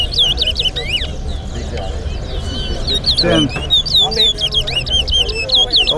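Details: Competition song of a towa towa at Lusignan bird ground, Georgetown against Berbice: quick bursts of shrill, looping whistles, pausing briefly mid-phrase, over loud background chatter from a crowd of men.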